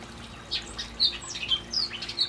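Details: Hooded oriole singing in the evening from palm trees after being prompted by the recordist: scattered high, chattery notes and short sharp whistles, some slurred downward, coming in quick irregular bursts over a faint steady background hum.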